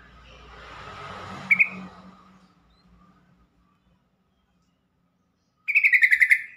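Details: Yellow-vented bulbul call for stirring silent, stressed or fresh-caught bulbuls into song: a brief chirp early, near silence, then a quick series of about eight chattering notes closing the passage.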